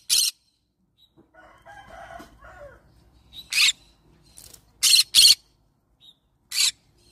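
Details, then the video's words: Yellow-sided green-cheeked conure giving six harsh, high, rasping screeches, each brief and irregularly spaced, with a soft, low murmuring chatter between the first two. "Yellow sided Green cheek conure parrot sound"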